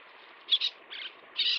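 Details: Little tern (Sternula albifrons) during chick feeding: three short, scratchy high-pitched calls within a second, the last one longer and buzzier, over faint background noise.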